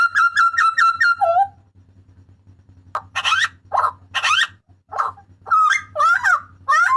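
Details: Papuan butcherbird giving loud, harsh shrieking cries for training cage birds: a rapid run of sharp repeated notes with rich overtones, a lower dropping note, then coarse broadband screeches and bent whistles, over a low steady hum.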